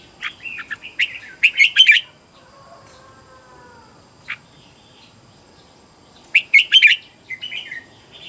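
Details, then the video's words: Red-whiskered bulbul used as a decoy to attract wild birds, delivering a loud rolling warbled phrase, a pause with a faint low tone, then a second similar burst of rich chirping notes. "Chào mào mồi gọi bổi"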